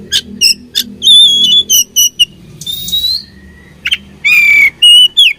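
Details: Oriental magpie-robin in a fighting mood, repeating clipped high chirps, then long clear whistles and loud buzzy harsh notes, with a soft low rumble behind.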